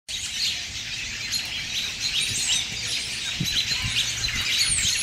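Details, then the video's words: American robins, hundreds in a migrating flock landing to rest for a few hours in a Cuban laurel tree in Bradenton, Florida; a dense, continuous chatter of high chirps and thin calls overlapping throughout, with low rumbling background noise. "Robins on Migration, Stop to Rest in Cuban Laurel Tree"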